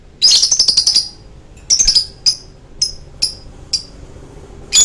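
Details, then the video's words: A lovebird opens its long choking song with a harsh, fast chattering burst, then gives a spaced string of single sharp chirps. "Love bird long choking"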